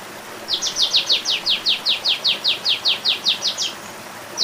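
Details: Olive-winged bulbul giving a long, steady series of about eighteen high, downward-slurred notes, roughly three per second, over faint background hiss.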